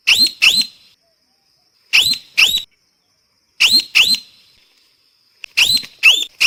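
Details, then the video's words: Parrot giving sharp, piercing screeches in pairs, each pair separated by about a second of silence, the notes abrupt and shrill. "เสียงนกแก้ว, Parrot sound"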